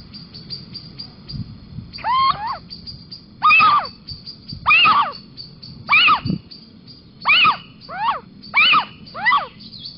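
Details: Little owl (Athene noctua) at Sprundel on 6 March 2020, on a balcony, giving a series of mewing, wavering 'kiew' calls, about one every second, against a faint steady high hiss.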